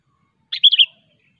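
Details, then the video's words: Sooty-headed bulbul, wild-sounding sharp song meant to call rivals: one rapid three-note bubbly whistled phrase near the middle, brief and clear, then silence with a faint note at the end. "suara burung kutilang gacor asli alam tanpa isian"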